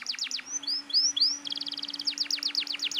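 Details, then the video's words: Canary song used to provoke untrained young canaries into singing: fast descending sweeps repeated about four per second, then rising upslurred whistles, a rapid buzzy trill, and more descending sweeps; faint steady low hum beneath. "PANCINGAN KENARI BAHAN ||SUARA KENARI GACOR NGOTOT"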